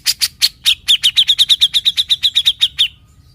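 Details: Grey-cheeked bulbul, valued as a tutor songbird and noted for its besetan, gives a few harsh chirps, then a quick, steady run of about sixteen identical high notes that stops abruptly.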